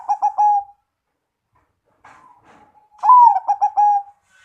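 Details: Zebra dove, big crocing voice: the end of one pulsed phrase, a quiet mumbled interlude, then a full loud phrase of a rising note, four quick stuttered coos and a long drawn finish.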